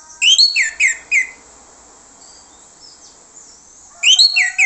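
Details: Orange-headed thrush song played to lure other thrushes, a quick phrase of clear whistled notes that drop in pitch, followed by silence and the start of another phrase.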